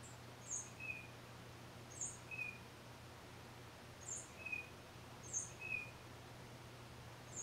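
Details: A single Tufted Titmouse sings solo, recorded with a Nikon D3500 and Tamron 500mm f8: quiet two-part phrases, a thin high note dropping to a lower short whistle, repeated about every one and a half seconds over a steady low hum.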